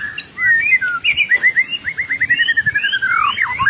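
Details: Gacor white-rumped shama master song: whistled phrases followed by a fast rhythmic series of repeated slurred notes and downward sweeps.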